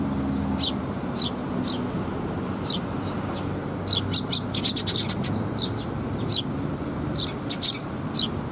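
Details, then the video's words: Fledgling Eurasian tree sparrows fed by parents on 6 May 2021 chirp insistently: high shrill notes throughout, bunching into a rapid excited run midway, steady faint low rumble behind. "巣立ち雛鳥達に餌遣り 20210506 6（親子雀）"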